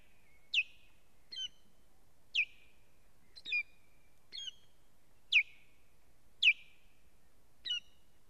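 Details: Female osprey on her nest during an attack by stranger ospreys, live nest camera, 1 May 2017; loud descending whistles alternate with shorter, softer clipped notes, about one call per second, with a near-silent background.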